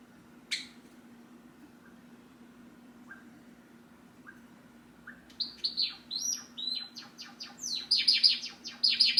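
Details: Caged pet Java sparrow that watches its owner and starts singing and calling when the owner rises from the seat: a few sparse soft chips, then a rapid, rising stream of sharp, tinkling notes growing louder, over a faint indoor hum.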